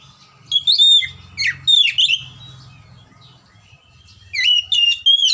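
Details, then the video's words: Song of an oriental magpie-robin meant to rouse lazy, quiet birds: quick jumbled phrases of pure whistles and harsher chatters in three groups, with a steady low hum behind. "PANCINGAN KACER MACET & MALES BUNYI AGAR JADI KACER RAJIN GACOR NGOBRA"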